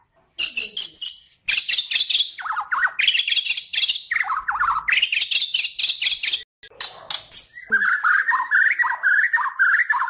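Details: White-rumped shama from Kalimantan, recorded as a master song for training songbirds, singing a rich, varied, nonstop medley of high chattering bursts, buzzy trills and lower rolling whistled phrases with brief pauses.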